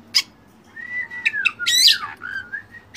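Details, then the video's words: Oriental magpie-robin master song segment: a long drawn whistle slurring downward, short clicks, then a loud harsh burst and a softer wavering whistle. "masteran Kacer full isian mewah"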